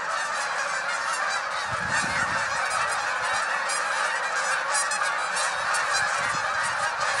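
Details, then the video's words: Hundreds of Canada geese take to the sky together, a dense, continuous chorus of overlapping nasal honks from the large flock, steady and unbroken throughout with no other clear sounds. "Look to the sky - Canada Geese"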